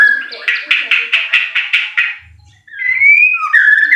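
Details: White-rumped shama lure song meant to make birds sing eagerly. A run of about eight quick, evenly spaced chip notes is followed by a pause and then a long rising whistle and a lower whistled phrase.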